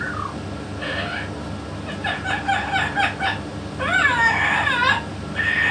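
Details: A yellow-naped amazon parrot with a parrot expert gives a jumble of short, choppy speech-like syllables, then a longer wavering, warbled phrase and a final nasal note, all indoors with low background hum.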